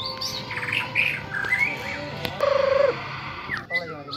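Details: A young male white-rumped shama, pitted against captive-bred birds, sings a varied run of clear whistled phrases, some slurred upward. Then comes a low trilled whistle and a harsh burst, over a steady background hum.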